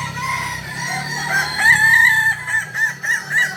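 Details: Kokok Balenggek rooster, a village chicken breed native to Solok, West Sumatra, prized for its tiered crow of three to nineteen or more stages; a long crow steps through several levels, with pitch dropping and rising in connected segments.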